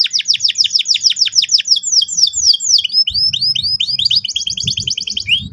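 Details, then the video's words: Vigorous canary song used to train young canaries: fast repeated downslurred notes, then looser, varied chirps and doubled notes, with a low rumble in the background. "PANCINGAN BURUNG KENARI GACOR EFISIEN AGAR PAUD CEPAT NGEROL TAJAM & PECAH SUARA"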